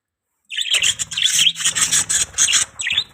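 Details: Budgie parakeets giving a steady stream of harsh, high chirps and squawky chatter, rapid notes packed closely after a brief silent start.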